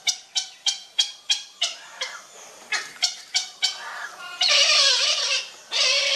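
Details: A baby grey heron being fed gives a fast series of dry, clicking chatters, about three a second, then breaks into harsh, rasping squawks.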